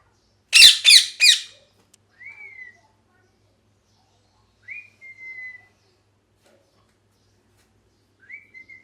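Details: Three loud, scratchy parrot squawks in a fast burst, then soft, drawn-out whistled notes at intervals of about three seconds, each slightly sliding in pitch.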